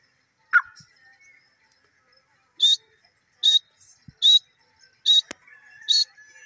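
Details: Grey francolin (desi teetar) giving a series of loud, high, evenly spaced notes about once per second after a brief lower note, with a sharp click near the end.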